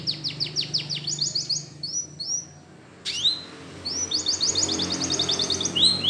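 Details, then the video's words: Spanish Timbrado canary, a yellow bird, singing for training: quick sliding notes and a short rolled run, a brief lull, then louder rising calls followed by rapid repeated rolling notes and upward slurs. "Canary Bird Sound For Training!! Yellow Canary"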